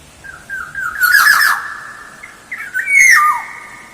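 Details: Black-naped oriole, vocal and lively, recorded as a lure: clear whistled notes near mid pitch with a harsh rasping burst in the middle, then a bright higher whistle that slides down, in a quiet background.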